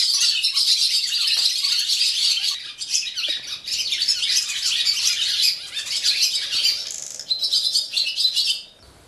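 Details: Morning song of barn swallows at a swallow farm in Gelselaar, Netherlands: a dense, continuous high twittering chorus of chirps and chatter, several birds overlapping throughout, with brief dips in the noise.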